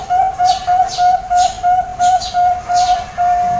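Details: Zebra dove singing to attract other doves, a fast, even chain of mid-pitched cooing notes, roughly three per second, with light clicks overlaid throughout.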